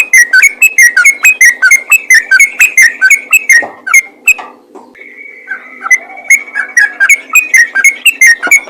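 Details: Ropel-style yellow-vented bulbul call meant to prompt other bulbuls to sing, with quick liquid whistled notes tumbling in an uneven stream, a short break and a held flat whistle, then renewed rapid chatter.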